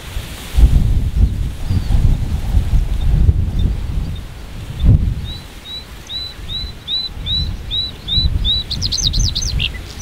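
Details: A white-spotted bluethroat (Luscinia svecia cyanecula) singing from high in giant hogweed gives a quick run of high, thin repeated notes, then ends with a buzzy, rattling flourish, over steady low wind rumble.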